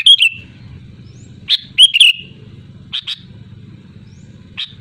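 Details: Sooty-headed bulbul giving a loud, lively song: bursts of bright, slurred chirps and short whistled notes, clustered near the start and middle, then sparse single notes, over a steady low throbbing engine-like hum.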